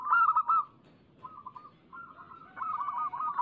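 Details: Zebra dove lure song, local birds: a loud pulsed coo burst, then softer spaced notes, then a longer continuous rolling phrase of beaded cooing tones.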